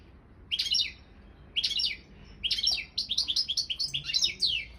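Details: Balkan goldfinch, Carduelis carduelis balcanica, in a world song championship: short separate chirpy phrases at first, then a quick series of repeated twittering notes forming a lively run.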